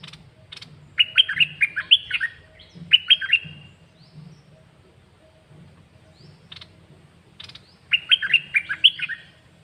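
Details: Song of a caged bird given in three separate bursts of rapid whistled notes, the notes sliding up and down, with long quiet gaps between bursts and a low hum underneath.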